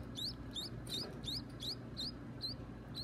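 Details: At feeding time, baby birds give sharp, high, hook-shaped squeaks about every third of a second over a low room hum.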